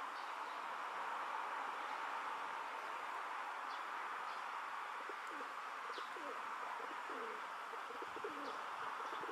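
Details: Male rock dove in a park, puffing out his throat while courting a female, gives low, throaty rolling coos in a run of several phrases over the second half, with faint high chirps of other birds and a steady background hiss.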